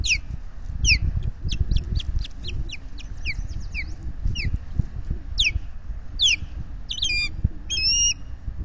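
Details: Nesting osprey pair at Salt Point in New York's Finger Lakes, 12 May 2021, alarm calling at intruders flying overhead, picked up by a solar-powered nest camera: rapid series of sharp, high whistled chirps, some doubled, over rumbling wind.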